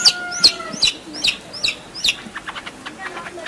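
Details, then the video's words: Long-tailed shrike in full 'gacor full isian' song, used as a master recording to prompt lazy birds to sing: harsh, scratchy notes alternating with short sharp whistles, roughly two or three phrases per second, a faint steady tone in the background. "Cendet Gacor Full Isian - Masteran Ampuh Untuk Burung Yang Malas Bunyi"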